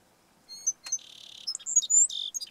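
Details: A Song Sparrow at Forsythe National Wildlife Refuge sings a quick phrase: a few clear introductory notes, a dry buzzy trill, then a jumble of bright chips ending in a short buzz.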